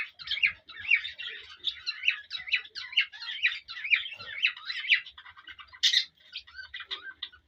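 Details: Male cockatiel singing and whistling to a female to stimulate mating: a run of chirpy, warbling whistled phrases repeated about twice a second, then a sharp squawk and softer broken chirps, indoors.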